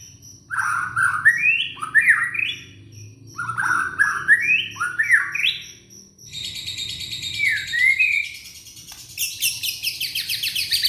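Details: Indonesian young white-rumped shama used to get quiet shamas singing: repeated rising whistled phrases about every second, a pause, then a lower slurred note and high scratchy chatter.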